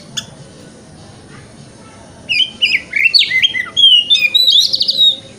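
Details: Oriental magpie-robin delivering 'wikplong' lure song meant for morning therapy to make another bird spread its tail; near-silence gives way to an energetic burst of whistled slurs, chattering notes and a rich warbled ending.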